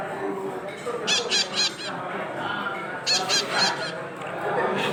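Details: Young Red-breasted parakeets begging while an adult feeds them, giving two bursts of rasping, rapidly repeated notes about two seconds apart against a constant noisy background with faint voices.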